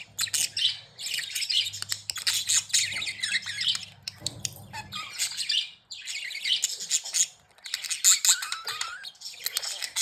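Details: Happy, playing budgies warbling in long bursts of scratchy high chirps and squawks, broken by brief quiet gaps, with a faint low hum underneath.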